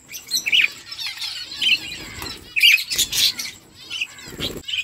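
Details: Eating budgerigar flock giving squawky chirps and warbles, louder harsh calls about every second amid softer background chatter and faint rustling.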